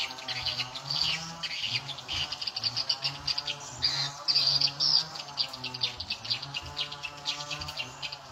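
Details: Swiftlets drawn by the SP Tripel Queen lure sound: rapid, irregular high chirps and trills, about two per second, rising into denser bursts, over a low background hum.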